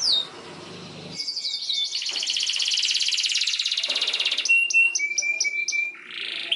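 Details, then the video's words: Long canary song meant to teach young canaries their sounds, opening with a whistled note, then a sustained buzzy trill, then a run of short clipped notes and steady whistles. "PANCINGAN Kenari GACOR PANJANG Cuit2 EMOSI ini AMPUH utk MASTERAN Kenari PAUD belajar BUNYI"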